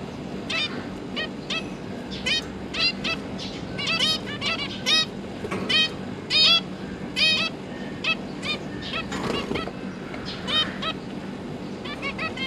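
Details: Zebra finch parents and their three recently hatched juveniles give nasal, toy-trumpet beeps in quick irregular bursts, several birds calling over one another, with a low hum underneath.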